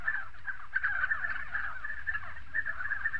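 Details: Spotted sandgrouse recorded in South Morocco, giving a dense run of quick gurgling, downward-sliding notes that overlap one another continuously, over a soft low background hum.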